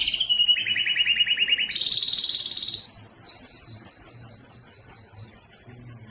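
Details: Canary song for teaching young canaries and stimulating singers: quick low trill, a rolling tour stepping upward, then a long series of high repeated chirps.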